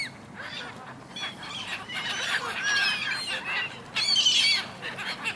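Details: Large flock of gulls squabbling on the Dnipro River, Kyiv, Ukraine, in January; overlapping shrill calls build from a quieter start to a loud burst of squeals near the end.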